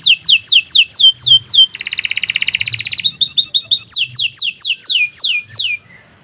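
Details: Long continuous canary song in gacor style: a run of falling whistles, a dense buzzing trill, fine high chatter, then more descending whistles trailing off.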